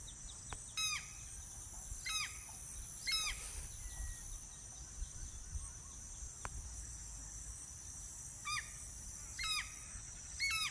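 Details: Crested (changeable) hawk-eagle calling while hunting: short, shrill, falling notes repeated roughly every one to two seconds over a steady high insect hiss.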